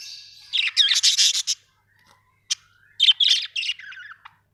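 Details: Budgies kept as pets chatter in two lively bursts of squeaky, warbling chirps, with one clear single chirp between them and quiet gaps.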